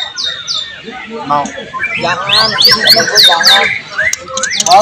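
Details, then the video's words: White-rumped shama in full song with borrowed phrases of cililin, cucak jenggot, canary and lovebird, recorded 12 July 2023; a dense mix of chattering notes, sweeping whistles and scratchy trills, with a human voice briefly just before. "siulan murai batu gacor tembus materi isian"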